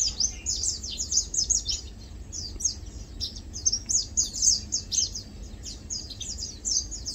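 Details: Lowland white-eyes feeding and preening give clear bursts of high, thin downslurred chirps in quick irregular clusters, with a short lull near the middle.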